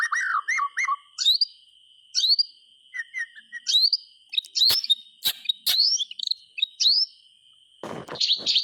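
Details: Song of a white-rumped shama kept as a lure for quiet shamas: short bursts of bright upslurred whistles and chirps separated by brief gaps, a few sharp clicks, with a constant high tone humming underneath.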